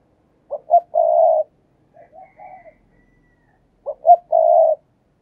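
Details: Decoy spotted dove luring wild doves with urging coos: two short clipped notes followed by a longer, level, hollow coo. The phrase is given twice about three seconds apart, with soft muffled cooing between, in an otherwise quiet setting.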